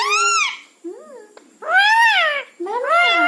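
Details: Talking house parrot calling 'Maa'-like words. Three drawn-out arching vocal syllables, each rising then falling, with a soft short note and a click between them, indoors.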